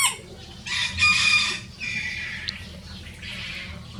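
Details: Rosecomb bantam roosters, a pair of free-ranging show birds crowing in a duet; harsh, high, breathy crowing bursts in three sections, the loudest around the first and second seconds, over low background rumble.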